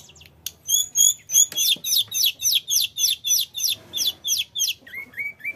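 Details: Mountain flycatcher (tledekan gunung) in energetic song meant as a lure for other birds: a few clear whistles, then a long, evenly spaced run of sharp high notes about three per second, ending in lower wavering whistles.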